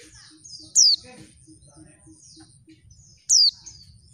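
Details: Female oriental white-eye calling to provoke males into singing: two shrill down-slurred whistles about two and a half seconds apart, with soft twittering and a faint low repeated piping in the background.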